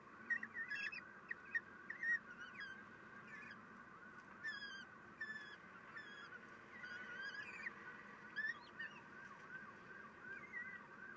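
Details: Common kestrel nest during a feeding on 3 June 2021 at 9:12, the female serving her young; many short, high, squeaky chirps and chattering notes scattered irregularly throughout.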